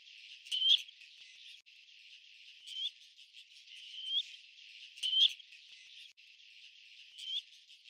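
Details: Black-necked grebe calling: short, high, rising whistled notes, each sliding upward at the end, repeated at uneven intervals of one to two seconds over a steady hiss with no other clear sounds.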